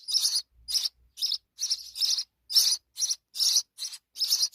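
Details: House sparrow mother with her babies: bright, high chirps in quick bursts, about nine clustered notes over four and a half seconds with short silent gaps between them.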